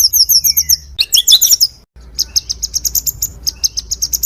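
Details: Oriental magpie-robin song, used as songbird training material: quick high chirps, then a burst of tangled, varied twittering notes, a short pause, and further rapid high chirps and trills.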